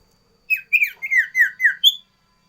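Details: Sooty-headed bulbul singing a varied, loud phrase for tutoring cipow and luring wild birds: six clear whistled notes, each dropping in pitch, closing on a higher bright whistle, in a quiet room.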